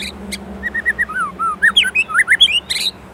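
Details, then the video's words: White-rumped shama from Indonesia in rich 'isian' song: mellow slurred whistles rising and falling in a flowing phrase, bracketed by brief harsh, buzzy bursts at start and end. "Murai Gacor isian Gurih | siap upgrade stok isian | shama bird indonesia"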